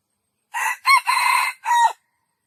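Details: Hoarse junglefowl crow split into four parts, a ringing upward note early and a long raspy middle before a short descending finish, alone on a quiet background.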